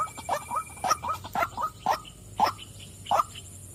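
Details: Female white-breasted waterhen calling with uneven, throaty croaks, at first quick and paired, then spaced roughly every half second.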